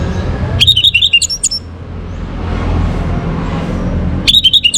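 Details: In a morning recording for bringing birds into breeding condition, an orange-headed thrush gives two short bursts of sharp, high, rapidly repeated twittering notes, with a constant low hum in between.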